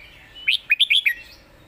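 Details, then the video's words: Red-whiskered bulbul, a competition singing bird, performing a master-pattern song: one quick phrase of five bright, slurred whistled notes, rising then dipping, over a quiet background. "เสียงดี''สำนวนชัด เพลงแม่บท/นกแข่ง#เสียงนกกรงหัวจุก"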